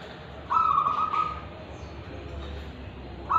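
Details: Local wild-origin zebra dove from Tulungagung, Indonesia, with ulem and kristal song: one clear trilled coo phrase lasting about a second, then quiet, and the start of another phrase at the end.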